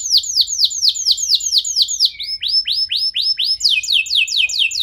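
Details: Canary song used as a lure to set other canaries singing: loud high phrases of repeated downward-sweeping notes, about two per second, shifting to faster, higher note series near the end.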